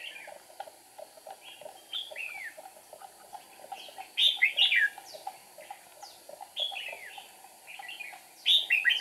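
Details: Trapping decoy red-whiskered bulbul on 8 April 2019, singing to provoke wild birds; scattered chirps building to loud, sweeping whistled phrases in several bursts, other softer bird notes behind.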